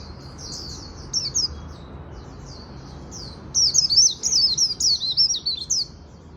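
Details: Japanese white-eye in the afternoon, starting with faint soft warbles, then breaking into a loud sequence of rapid high twittered 'líu' phrases.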